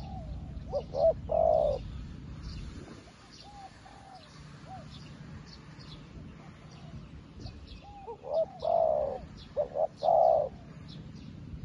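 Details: A new decoy spotted dove calling wild doves as well as an old decoy does: two bouts of low coos, each with short hoots leading into longer mellow notes, separated by a quiet stretch with faint background noise.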